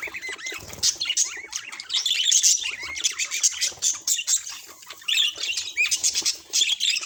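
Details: Budgerigars chattering: dense warbled twittering with squeaky rising and falling notes and scratchy chirps, almost continuous, with brief wing flutters.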